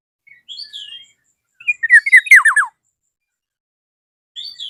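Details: Black-naped oriole calling a rival: a soft whistled phrase, then a loud burst of four or five quick downward-sweeping notes near the middle, with a faint whistle again at the end.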